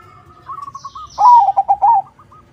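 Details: Zebra dove (perkutut), a crossing-style singer used to lure other doves into answering: one loud phrase of rapid, slightly descending cooing notes, preceded by a softer distant dove cooing in a quick series.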